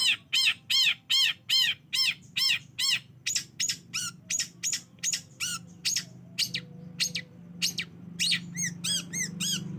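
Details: Lure recording of a long-tailed shrike, played to make a quiet bird respond and sing: loud, evenly spaced arched rasping notes that gradually speed up and soften, closing with quick high twittering.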